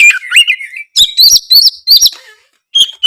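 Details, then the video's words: Oriental magpie-robin giving a short burst of ringing, looping whistles: a wavering phrase, then three bright repeated notes and a final clear whistle, used to prompt quiet birds to sing. "suara kacer gacor ngeplongg"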